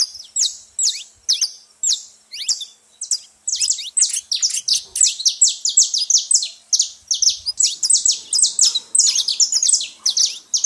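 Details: At a feeder, saffron finch chatter: a steady stream of bright, high, clipped chirps and short downward-slurred notes, rapidly repeated and crowded together throughout, with faint low background noise late on.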